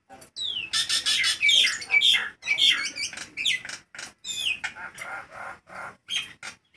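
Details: Nias hill myna singing loudly despite hot weather, in lively trigger singing: a dense run of loud whistles, harsh squawky notes and sharp descending slurs, delivered in bursts about twice a second with brief gaps.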